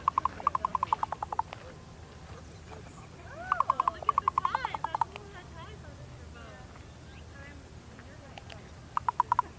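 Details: Female raven communicating with her mate, giving bursts of rapid, rattling knocks in quick series, separated by gurgling, slurred notes and pauses of a few seconds; faint background hiss.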